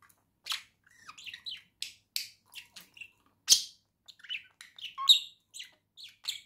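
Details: Pet budgerigars, a pair kept indoors with a cage, singing in November 2024: quick irregular chirps, squeaks and buzzy warbled notes tumbling over each other, with one sharp loud chirp midway and no other sounds.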